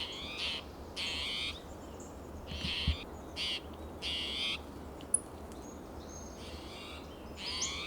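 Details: Spotted towhee restless and calling, with another towhee responding softly, Del Monte Forest, California, June morning: about eight scratchy, mewing calls at irregular gaps of one to one and a half seconds, some quieter, over low steady noise.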